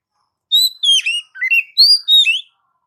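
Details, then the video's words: Oriental magpie-robin singing as a lure for training pet birds: a sweet phrase of six clear whistled notes, some slurring down and others rising, delivered in quick succession with short gaps. "MP3 master burung kacer"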